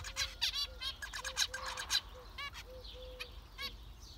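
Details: Several zebra finches give rapid nasal beeping calls at about two per second, alongside a repeated soft, low, flat hooting tone and faint background hum.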